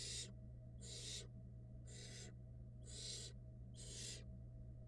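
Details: Fluffy barn owl nestlings fed by the female at a camera-monitored nest, hatched February 2022: five strong, wheezy hisses repeated about once a second, each near a third of a second, with steady low hum.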